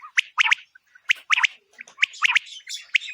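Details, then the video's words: A female quail calls, the sound used in quail hunting: fast bright chirps in doublets and triplets, repeated about every 0.8 seconds, with faint background hiss. "بٹیر کا شکار اور زبردست آواز"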